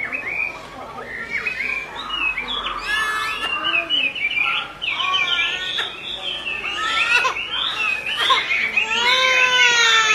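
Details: Female Chinese hwamei calling repeatedly to rouse an agitated male into singing: a busy run of clear whistled notes, rising and falling slurs and quick repeated chips, layered and overlapping, growing louder toward the end.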